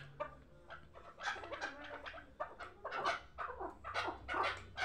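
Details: Hybrid chukar partridge, a young bird hatched last year and kept for fighting and hunting, giving a rapid run of harsh, broadband clucking notes. The notes are uneven in spacing, come about two per second, and grow louder toward the end.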